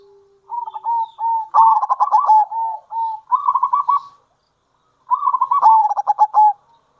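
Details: A local zebra dove used as a lure sings kerot and bekur cooing. Long runs of staccato beaded coos build into dense rattling phrases, then stop for a pause before resuming.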